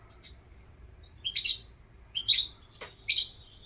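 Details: European goldfinch uttering four separate bright, slightly nasal chirps about one second apart, with a sharp click between the last two.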